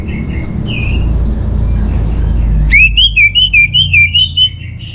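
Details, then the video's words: Orange-headed thrush singing a lure song to get birds singing: after soft distant whistles, a rapid run of about eight bright, wavering whistled notes with chirpy overtones, over a constant low rumble. "Trbaik Buat Pancingan Burung ANIS MERAH Agar Gacor"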